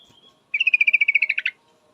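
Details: Female yellow-vented bulbul calling to a male: a rapid one-second run of about sixteen clipped, mid-high notes, steady in pitch and slightly louder and lower at the end, in an otherwise quiet setting.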